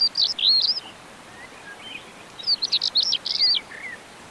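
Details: Common stonechat recorded in the Montes de León, Spain, in May 2019: two short bursts of scratchy, twittering high notes, the second phrase longer and more varied, over a quiet rural background.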